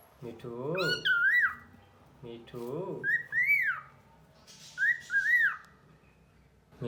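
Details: Pet cockatiel talking: short, low, speech-like phrases, apparently repeating "me too", alternate with clear whistled notes that rise and fall in smooth arcs, several whistles in quick pairs; indoors, faint background music.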